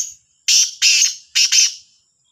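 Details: Black francolin (kala teetar) calling in the morning, Sahiwal, recorded 18/09/22: one loud, harsh, grating phrase of four rasping notes in two pairs, delivered within about one and a half seconds, with a faint high hiss behind.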